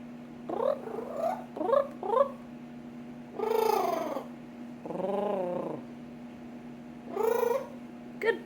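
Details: Pet parrot in Florida imitating its owner, with short wavering trilled notes in quick groups and longer drawn-out harmonic calls, set against a constant low electrical hum.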